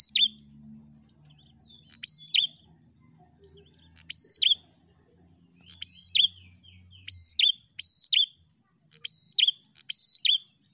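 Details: Repeated prinia song meant to stir a rival bird: high buzzy phrases with a held whistled note and dropping flick, roughly every one to two seconds, over low rumbling background noise.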